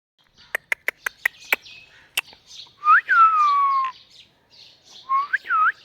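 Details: A pair of talking pet parrots: a row of sharp clicks, then a long whistled note sliding up and gliding slowly down, followed after a pause by shorter looping whistles.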